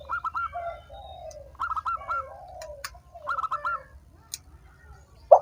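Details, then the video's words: Spotted dove call to get lazy, silent doves singing: softer, more distant cooing, low drawn-out coos alternating with short higher twittering notes, over a steady low hum and a few sharp clicks. "suara PERANGSANG burung tekukur yang malas dan macet bunyi"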